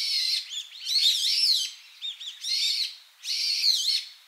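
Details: Brown-eared bulbuls exchanging evening ground calls in Oarai, Ibaraki, Japan, on 9 November 2008: loud, harsh, squealing calls in bursts about a second long, rising and falling in pitch, with short gaps between them.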